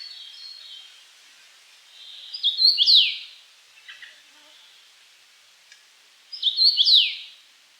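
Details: Common rosefinch repeating its whistled song twice, about four seconds apart, each phrase a quick series of slurred notes ending in a downward swoop, with faint bird chirps and light background hiss.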